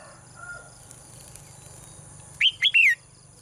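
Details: Female bird singing in a cage, as it does each morning: after near silence, three quick, high, sweeping chirps near the end, each rising then falling, over a constant faint high-pitched whine.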